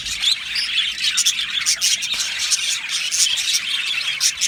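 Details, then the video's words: Chorus of Australian budgerigars in an aviary colony: continuous busy warbling and chattering, crowded with quick high chirps, sharp squeaks and clicking notes, evenly loud across the whole stretch. "Beautiful Australian Budgie birds aviary sound | Budgie singing and chirping sounds"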